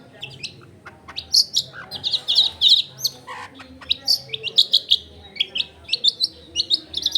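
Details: Actively singing long-tailed shrike, used as a lure to get other shrikes singing, recorded at home among dense housing: loud fast chattering bursts of high, harsh notes, repeated in quick clusters almost without pause.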